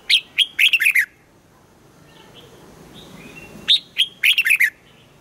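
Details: Trained red-whiskered bulbul singing morning song in the 'âm kép già rừng' double-note style: two brisk phrases of tumbling whistled notes roughly three and a half seconds apart, with faint soft chatter between.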